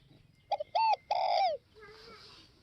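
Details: A single phrase from a spotted dove of northwest Vietnam: a brief note, a rounded coo, then a longer coo sliding downward. A fainter, hissy trailing sound follows in quiet surroundings.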